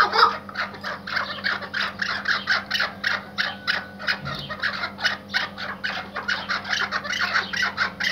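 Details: Iraqi white hunting partridge, a tethered hunting bird, uttering a long sequence of rough, pulsing cackles at an even pace, each note clipped and harsh, over steady low hum.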